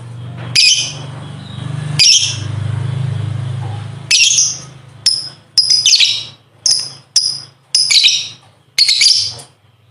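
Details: Lovebird long chatter in ngekek style, used to train contest birds: scratchy high bursts over a low steady hum at first, then a rapid series of short buzzy notes with brief gaps.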